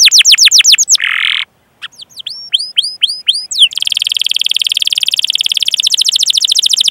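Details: Canary chirping and rolling song meant as a lure for young or silent canaries: quick falling trill, a buzzy burst and gap, looping whistled notes, then a long even rattling roll of rapid repeated notes.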